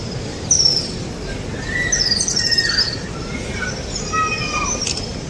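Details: Birds chirping in Mecca: high thin whistled notes and short squeaky chirps, some sliding downward, scattered over a steady rushing background hiss.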